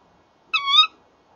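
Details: Evening recording, 30 January 2014, of a Tawny owl pair calling side by side at a nest box; one brief, bright, harmonic call that dips slightly then climbs before cutting off, quiet otherwise.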